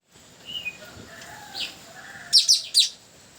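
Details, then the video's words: Long-tailed parakeet lure call, recorded on the way to a durian hut: faint thin whistles, then three loud harsh screeching notes in quick succession near the end. "SUARA MERDU BURUNG PULING NURI TANAU PIKAT BARU"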